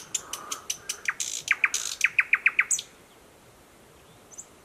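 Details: Newly arrived thrush nightingale singing in dense thickets by a stream, Mogilev district, Belarus, 11 May 2021: sharp clicking strokes, then a fast run of about six loud, even notes before falling silent; frogs from a nearby pond croak softly underneath.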